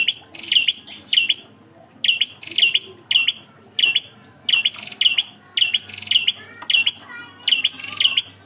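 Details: Bar-winged prinia (prenjak klawu) song in the engkel style, used as a tutor recording for songbirds: bright, high paired chirps, each a sharp note then a slurred higher one, repeated rapidly in tight bursts almost twice a second, over a faint low hum.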